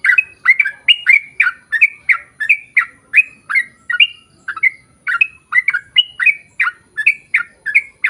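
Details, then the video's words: Sooty-headed bulbul in a long, nonstop singing bout meant to draw others to reply: dense, regular stream of short, slightly harsh chirps, over two per second, with no other sounds. "KICAU SUARA trucukan gacor ROPEL PANJANG pancingan trucukan agar bunyi MENJADIKAN trucuk gacor NYAUT"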